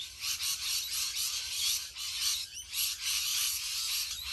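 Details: Massed rainbow lorikeets in Australia, a huge flock screeching together; shrill, grating chatter fills the clip, pulsing in waves with short dips between louder bursts.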